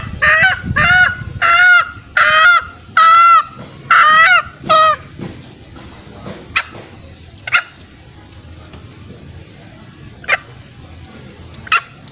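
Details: Lure call for snaring wild green junglefowl: five loud nasal honks in quick succession, followed by near-silence broken only by a few sharp clicks.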